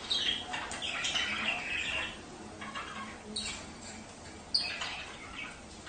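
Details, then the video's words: Budgerigars chattering to stimulate breeding, giving a busy stream of scratchy chirps and squeaks, loudest at first and then fading under background noise. "تحفيز البادجي على التزاوج"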